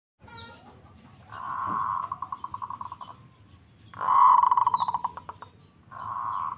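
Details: Local zebra dove answering in song: rolling cooing trills near one pitch, fast pulses that slow and fade, in two main bursts separated by short pauses, over a low background hum.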